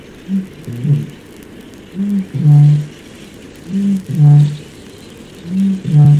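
A Eurasian bittern booms three times, each a short soft intake followed by a deep, hollow foghorn-like 'whoomp', about every two seconds, over a low background hiss.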